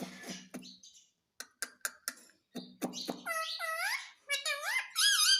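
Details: Pet Indian ringneck parrot imitating speech, reportedly "mummy mummy": low murmured syllables and sharp clicks at first, then several high curved harmonic calls that dip and climb, closing on a steady bright squeal.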